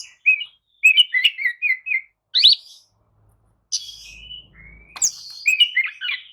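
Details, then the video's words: Oriental magpie-robin lure song for getting sluggish kacer to reply and sing. Quick warbled twittering notes in a run, a pause, then rising whistles and chatter, with a faint low hum underneath. "kicau pancingan kacer atasi kacer loyo! jelas nyaut dan gacor"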